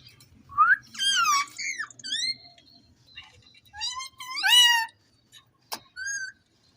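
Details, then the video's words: Caged Indian ringneck parrot talking: bursts of harmonic, speech-like warbling syllables with rising and falling whistled notes, two loud groups separated by quieter pauses, plus a short sharp click near the end. "Gergeous parrot in one cage in amazing talking"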